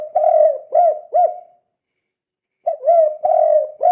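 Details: Kuk 2 style spotted dove calling, used to coax other doves into calling: rounded low coos, three in quick succession, then a gap of about a second before another run of coos.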